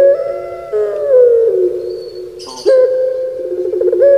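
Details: Puter pelung turtle dove from Java, Indonesia, drawing out a hollow, echoing coo that wavers and sinks, then a short gruff note and another long, steady low coo.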